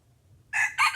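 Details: Red junglefowl lured with a decoy bird, heard in a brief fragment of crowing: two rasping bursts in quick succession, loud and close, with a faint low rumble beneath.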